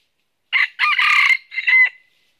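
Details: Red junglefowl rooster used as a live decoy for trapping wild junglefowl in northern Vietnam gives one loud, hoarse crow of four parts, the long middle section rough and strained, ending in a clearer drawn-out note.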